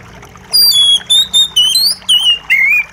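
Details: White-rumped shama singing a run of loud, clear whistled notes, each sliding from high to lower pitch, six to seven phrases in quick succession with short gaps, over a faint background of trickling water.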